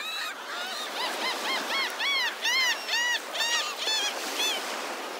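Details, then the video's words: Morning flock of gulls at a Naples, Florida state park beach: a run of clear, ringing, arched cries repeated roughly twice a second, rising then falling in pitch, backed by soft wave wash and other distant gull voices. "Lots of Seagulls at Delnor-Wiggins Pass State Park in Naples, FL - FREE Sound Effects"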